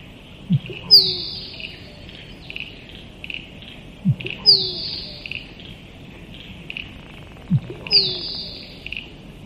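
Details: Musk duck giving a low thump followed by a sharp, high whistle that slides downward, the pair repeated about every three and a half seconds, three times over.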